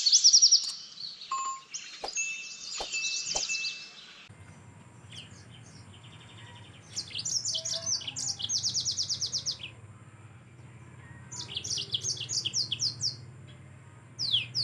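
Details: Yellow-fronted canary in gacor song for tutoring cage birds: an opening stretch of dense high chatter with clicks, a quiet gap, then bursts of rapid high trills and twitters separated by pauses.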